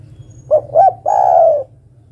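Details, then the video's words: Female spotted dove calling to the male with one clear phrase, two short coos then a sustained, gently falling coo, over a faint low hum. "Suara burung derkuku betina memanggil jantan"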